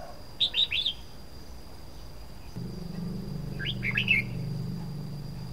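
Red-whiskered bulbul gives two brief bubbly phrases of three or four liquid whistled notes, with a steady high whine and a low engine-like hum behind.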